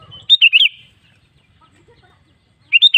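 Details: Lure song of a sooty-headed bulbul for stirring other bulbuls to sing: a bubbly phrase of three or four slurred, warbled notes, a two-second pause, then the same phrase again.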